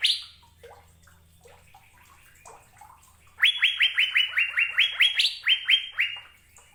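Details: After a few faint, scattered lower notes, an Asian fairy-bluebird bursts into a fast run of bright rising whistles, about a dozen notes with a couple pitched higher.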